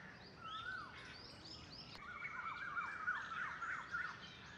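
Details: Two baby mynas looking out from a nest in a tree trunk on 17 July 2021 give a busy run of squeaky, slurred chirps, rising and falling about three times a second, overlapping over a soft outdoor hiss.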